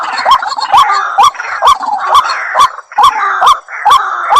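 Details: Repeated rasping, upslurred notes from a White-breasted waterhen, evenly spaced a little over two per second, with a loud percussive attack on each note.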